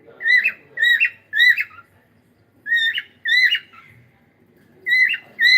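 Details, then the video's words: A cockatiel sings in the morning, giving runs of three quick whistled notes, then a pause, then more paired whistles, with slight room noise. "cute Cockatiel singing and sound"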